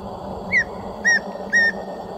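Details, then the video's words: A tawny antpitta in Cajas National Park, Ecuador gives three clear, mid-pitched whistled notes about half a second apart, the first slightly falling, over a soft background hum. "Tawny Antpitta Vocalizing"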